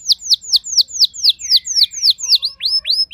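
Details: Pet canary replying to a second singer with a steady series of clear downslurred notes, about four per second, ending in a few rising sweeps.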